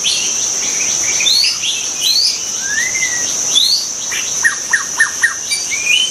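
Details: White-rumped shama in the wild giving quick rising whistled notes and slurred phrases, then a run of four sharp evenly spaced notes near the end, under a constant shrill insect buzz.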